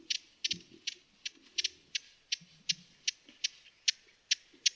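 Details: Broad-billed hummingbird uttering sharp, high tick notes at an uneven pace, some in quick pairs, with faint low rustling underneath.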